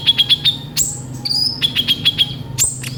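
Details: Brief stretch of kolibri ninja sunbird song: rhythmic sharp ticks repeated about five per second, broken by high thin slurred whistles and a short buzzy note.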